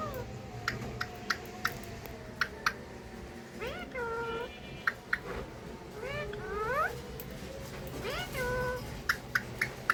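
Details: Pet Alexandrine parakeet couple saying "Mithu Mithu" and kissing each other; harmonic, rising then level word-like phrases near four, six-and-a-half and eight-and-a-half seconds, sharp clicks scattered throughout, steady low indoor hum beneath.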